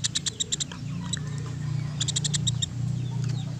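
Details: Woodpecker's rapid, dry ticking notes come in two clusters, several sharp high clicks each, set against a continuous low droning hum.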